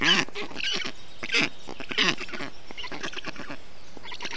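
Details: Black stork nestlings in Estonia, 20 June 2021, while a parent cools the nest in the heat; bleating, goat-like wheezy calls in irregular bursts, loudest early, then softer scattered calls.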